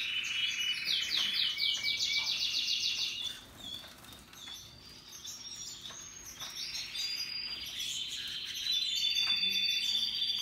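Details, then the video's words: Singing canaries, Russian yellow and Timbrado types, in happy mood: a loud, fast, buzzy trill of repeated notes for three seconds, a softer pause, then renewed high rolling trills, one bird flapping briefly. "Relaxing Canaries and others birds singing sounds"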